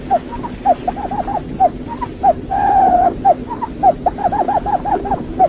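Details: A decoy quail calls with short, soft, arched hoots, repeated irregularly about twice a second, broken once by a longer steady whistled note.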